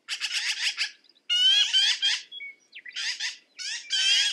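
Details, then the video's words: Loud, clean black-billed magpie calls: grating, buzzy note bursts in three quick groups with short silent gaps between them. "Black billed Magpie - Bird Sound"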